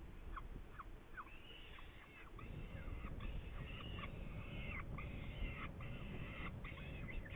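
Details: Saker falcon, Hungary, May 2019: a rapid, uneven run of rasping harmonic calls, short downslurred notes mixed with longer grating ones, roughly two or three a second over low-frequency background rumble.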